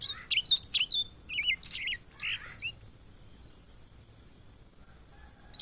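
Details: Blue-and-white flycatcher, known in Indonesia as a migrant, delivers a fast tumbling run of varied whistles and twangy notes for about three seconds, then falls quiet before one last high note.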